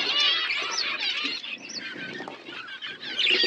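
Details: Flock of budgerigars eating winter food, soft continuous warbling chatter with twittering whistles, slightly quieter and more distant.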